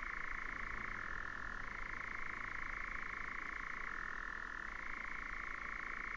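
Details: Churring European nightjar, 2019: a mechanical pulsed trill that alternates between a higher and a slightly lower pitch every couple of seconds, with a low steady hum in the background.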